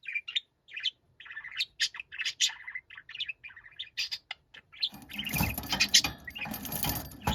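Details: Loud, angry budgerigar shouting, a rapid string of scratchy chirps and chattering squawks, ending in a burst of broad rustling noise, likely wing flapping, under continued calls.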